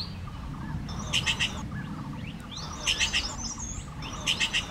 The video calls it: Common Green Magpie